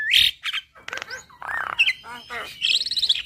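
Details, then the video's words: Black-winged starling in full song for training caged birds: harsh squawks and raspy buzzy notes give way to a bright, high, rapidly trilled whistle at the end. "Kicauan Jalak Gacor Suara Khas Jalak Kebo Full Isian"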